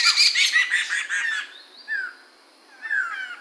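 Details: Chinese hwamei, known locally as poksay mantel or medan, recorded in 2021: a rapid run of rich, ringing whistled notes for about a second and a half, followed by two brief slurred whistles after a pause.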